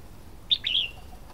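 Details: Red-whiskered bulbul (Pycnonotus jocosus) song: a short bright chip, then a longer, slurred, warbling whistle, against quiet background hiss.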